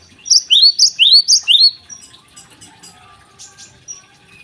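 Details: In the morning a Java sparrow sings, used as a lure for untrained birds: four quick couplets of an upslurred note and a sharp high chip, then soft scattered chirps.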